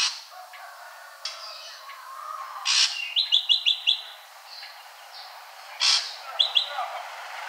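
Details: Ashy drongo: a loud harsh note followed by a short run of four or five crisp high notes, a pause, then a second harsh note and brief clipped series.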